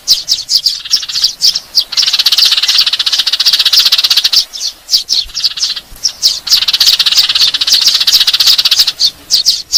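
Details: Squabbling Eurasian tree sparrows, a sound used to lure birds: dense, shrill chattering in long runs of rapid chirps, pausing briefly a few times.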